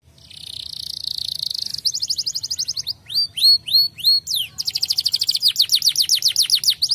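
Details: Canary song meant to make other canaries answer: a buzzy trill opens, then rapid repeated chirps, a few rising and falling whistled notes, and fast rolling trills to the end, with a faint low hum beneath.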